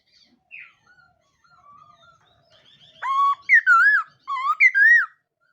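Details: ['Caged laughingthrush in morning voice training, sung to stimulate other birds. Faint scattered notes lead into loud whistled phrases with a rich, harmonic ring, some rising, some falling, in bursts over the last two seconds.']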